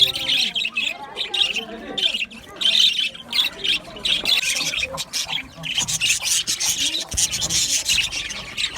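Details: Budgerigars in an aviary chatter and squawk in quick irregular bursts, harsh high notes with rapid chirps mixed in, a busy overlapping flock sound.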